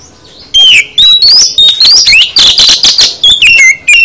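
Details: After a short quiet start, an oriental magpie-robin pours out a rich full song used to get magpie-robins singing back: dense loud run of rising whistles, chatters and harsh notes, ending in clear falling whistles.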